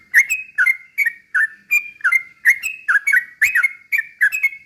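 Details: Yellow-vented bulbul in slow ropel song used to trigger singing in other trucuk birds; dense, repeated liquid whistled phrases with quick downward slurs, continuous throughout.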